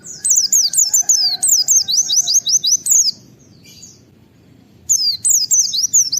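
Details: White-eye in the wild firing rapid 'wit-wit' calls to set other white-eyes calling: continuous fast series of shrill down-slurred whistles, a short silent pause, then another quick run.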